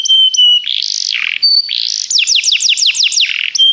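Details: Canary singing for song training: held pure whistles, harsh buzzy rolls, then a run of quick downward-swept whistled notes before the steady whistle returns.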